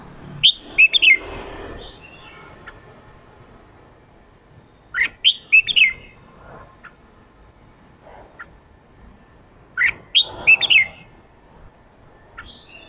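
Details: Male red-whiskered bulbul in an excited state, singing the ché style used to spur newly caught birds into voice: three bursts of sharp, slurred, warbling notes spaced about five seconds apart, with soft rustling between.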